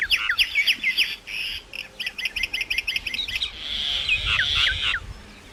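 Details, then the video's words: Myna chattering in fast rhythmic whistled notes and clicks for about three seconds, followed by a harsh, drawn-out hissing squawk with a few bent whistles. "maina sound Effects"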